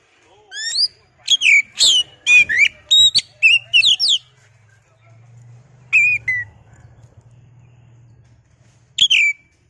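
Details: Oriental magpie-robin, or kacer, a caged songbird, sings to stir up a rival; a fast series of bright, sweeping whistled notes for four seconds, then quiet hum and two isolated phrases.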